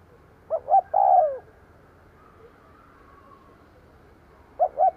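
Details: Decoy spotted dove cooing to lure wild doves: two short soft notes followed by a long, low, descending coo, with the start of another phrase at the end; quiet background otherwise.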